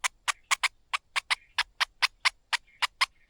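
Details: Streaked spiderhunter chicks, hard to feed while the mother patiently feeds them, give harsh, raspy begging notes, about four a second in an uneven burst, with faint thin whistles between.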